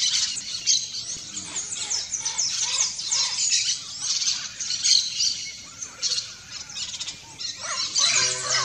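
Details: Turquoise-fronted parrot calling outdoors: a dense, overlapping stream of harsh, high squawks and chattering notes, loud and continuous throughout, with several birds seemingly calling at once.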